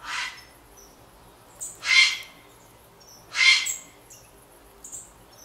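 Grey heron giving three harsh, hoarse squawks about a second and a half apart, with faint thin whistles from small birds behind.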